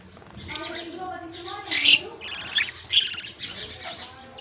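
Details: Budgerigar chicks begging while being fed by a male, recorded October 18, 2023; harsh, raspy chirps bursting loudly around two, two and a half and three seconds over softer chatter, with faint lower voices behind.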